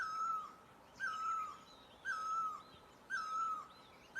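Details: Four mellow, falling notes from a great barbet in Asia, spaced about a second apart, with faint high-pitched chirps and soft background hiss.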